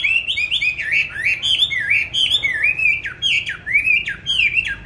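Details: Loud, rapid song from a kept songbird, bought 19 May 2020, on steady bran feed and said to sing anywhere at any hour: repeated high, squeaky rising-and-falling whistles run together without pause.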